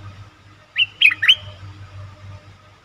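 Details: Bulbul heard in a lure recording for wild birds: one short phrase of three clear, slurred whistles in under a second, set against a steady low hum.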